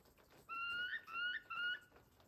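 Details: Wild turkeys at a ranch in Westbrook, British Columbia, on 26 September 2023: three clear whistled notes, each slightly rising and ending in a brief upward flick, given in quick succession over a quiet background.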